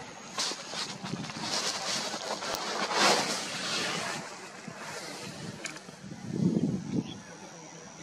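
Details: Broadband outdoor rumble like a moving vehicle or boat, with wind, water-like wash and brief low murmurs.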